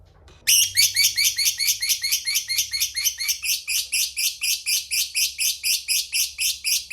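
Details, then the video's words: After a brief quiet start, a fighter lovebird launches into its long ngekek, a rivalry-provoking lure: shrill buzzy chirps repeated rapidly and fairly evenly, slightly slowing toward the end. "Pancingan Emosi Lawan suara Burung Lovebird Fighter Ngekek Panjang"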